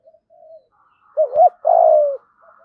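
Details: Decoy spotted dove with the 'thổ' song style luring wild doves: faint low coos lead into two arched, hollow notes and a long, loud coo sliding downward, then soft trailing coos.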